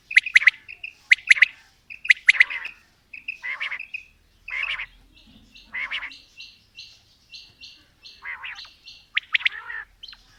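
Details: Male and female quail calling in a mix, loud clipped chirps in pairs and triplets, then a run of softer rapid repeated notes before more harsh, buzzy bursts; background is quiet.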